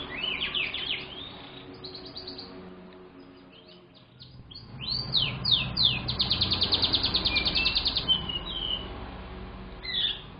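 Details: Young canary singing briskly as a lure bird: an opening trill, a near-silent pause, then loud swooping notes leading into a long, even, rapid buzzy trill, ending with a lone note.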